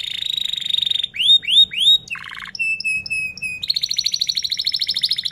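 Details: Canary in full song (gacor, rolling 'ngerol' style), played as a lure to teach young or silent canaries to sing: a buzzy high trill, then swooping rising notes, a low rattling burst, clear whistled pips and a fast bright trill.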